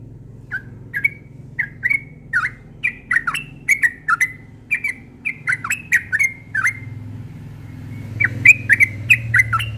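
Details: Morning song of a yellow-vented bulbul, a steady run of chortling whistled notes, each bending up or down, delivered rapidly over a low hum in the background.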